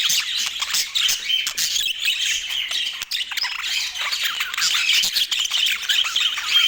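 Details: Pet budgerigars in Portland chatter continuously, a dense wash of high, scratchy chirps and warbles with short squawks, rising and falling in loudness across the whole stretch.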